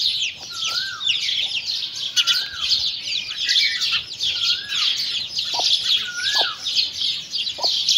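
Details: Chicks feeding beside their mother hen, a dense, continuous chorus of high, shrill peeps, with a few sliding whistled notes around the middle and occasional soft low clucks.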